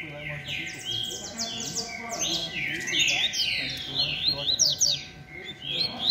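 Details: 'Beco'-style rusty-collared seedeater competing with other birds: steady stream of sweeping, slurred whistles and chirps, several voices layered together.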